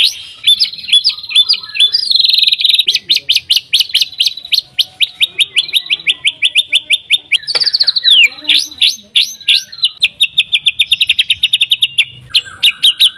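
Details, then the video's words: White-rumped shama lure song meant to make silent shamas answer: long series of crisp repeated high clicks and chips, broken by a few rich whistled slurs and a descending sweep midway. "MURAI BATU GACOR AMPUH BUAT PANCINGAN MURAI BATU AGAR BUNYI CEPAT BIKIN MURAI BONGKAR MATERI"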